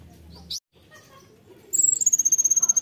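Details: Konin singing a 'tembakan' style song: after near silence, a rapid, very high, sharply pulsed trill starts late and runs on, faintly descending, with a brief squeaky note earlier and quiet background.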